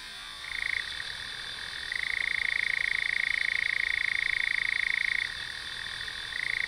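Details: Eurasian nightjar churring: a long, steady, mechanical trill held at one pitch for several seconds, breaking off briefly and then starting again, over a constant background hiss.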